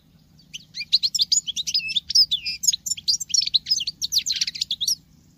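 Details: Singing female European goldfinch, reported to sound like a male: a continuous four-second stream of fast, high, liquid twitters and buzzy trills, tinkling and varied, over a quiet low hum.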